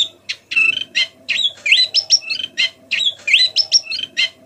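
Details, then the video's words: White-eye singing actively while learning, a soft chattering song meant to spur other white-eyes to sing; quick clusters of high whistled and buzzy notes, some sliding upward, in bursts with short pauses, steady low hum beneath. "pleci belajar bunyi"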